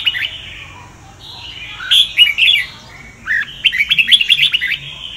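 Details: Red-whiskered bulbul of the Sông Kon type, kept as a singing model, giving a soft opening note, then two phrases of fast, sweet warbling chirps over a quiet low hum.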